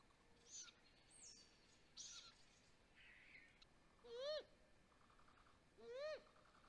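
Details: Wild great grey owls at a Mission Valley nest on May 12, 2020, as the male brings prey, recorded by a nest camera: two loud, rising-then-falling harmonic screeches, preceded by faint high chirps and squeaks.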